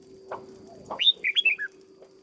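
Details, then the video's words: Cage-trained decoy red-whiskered bulbul gives one quick phrase of rising then falling slurred whistles after a couple of soft low knocks, over a low steady hum. "Cách chăm chào mào căng lửa nhanh hiệu quả nhất, cách dợt chào mào mồi"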